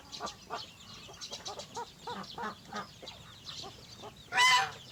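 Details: Chickens in the morning: a steady series of short, throaty clucks repeated several times a second, with softer overlapping clucks from other birds, then a brief loud harsh squawk near the end.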